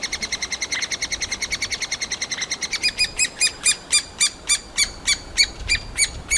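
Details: Three-toed woodpecker nestlings calling from a tree hole while demanding food, Kalinovsky forest park, Yekaterinburg: rapid high shrill squeaks, about three per second, the first half soft and the second half stronger and more spaced.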